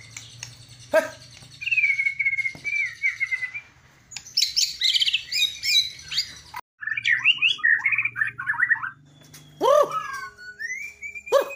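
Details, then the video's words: White-rumped shama singing in its bowing style with lavish filler phrases: a sharp note, a long wavering whistle, a burst of dense chattering notes, then fast warbled phrases and swooping calls, with a low background hum. "MURAI BATU KAPTEN JRG || IDENTIK GAYA SUJUDNYA ,TEMBAKAN ISIANYA YANG MEWAH"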